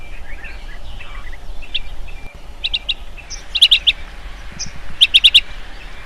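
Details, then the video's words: Wild insect-eating bee-eater calling at dusk: short trilled chip notes in clusters of three or four, repeated after short gaps, with faint softer chirps of other birds behind. "Burung kirik - kirik senja"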